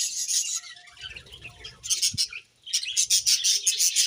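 Budgerigars chirp in quick, scratchy bursts of high warbling chatter.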